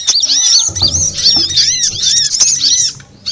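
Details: Sunbird lure recording for attracting birds (konin, kowul, korlap, sogon types): busy high twittering of quick arched chirps layered together, with a low rumbling thud partway through.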